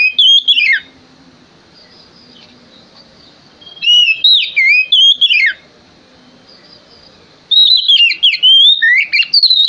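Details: Oriental magpie-robin male in full song as a lure for other birds: short bursts of clear, descending whistled notes and sharp chips, repeated in three bouts separated by quiet gaps of a few seconds.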